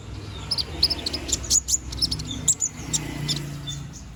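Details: Young konin bird growing feathers, singing for song training: soft high chirps and brief whistled notes at uneven intervals, fairly faint against steady background hiss and low hum.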